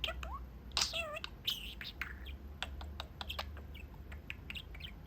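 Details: Indoor male budgie at his cage window, chatting with the household; quick wavering warbles and sliding notes give way to a run of sharp clicks and short chirps, over faint low hum.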